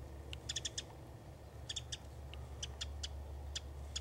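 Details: A Winter Wren at Hassayampa River Preserve on February 11, 2011, gives sharp, dry kip notes, first in quick runs of three or four, then singly about every half second, over a low steady rumble.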